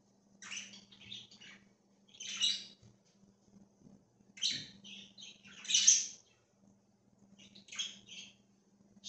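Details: Budgerigars in a free-roaming flock on October 13, 2024 produce short bursts of scratchy, high twittering roughly every two seconds, one burst louder and harsher, with quiet gaps and a low electrical hum.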